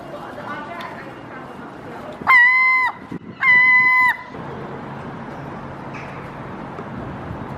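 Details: Two herring gulls fighting over a cigarette butt. Two drawn-out, level, nasal calls of about half a second each ring out mid-clip over constant outdoor urban noise.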